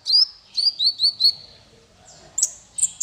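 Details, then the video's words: Male konin singing for songbird training: a run of five drawn-out, slightly falling whistles, followed after a gap by a few sharp high chirps. "Suara konin untuk masteran burung 100%jitu konin jantan"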